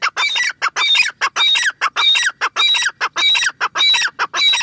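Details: Grey francolin in breeding season, late in the season: loud harsh repeated notes in rapid regular bursts, about a hundred per minute, each a squawking rising phrase, close and clear.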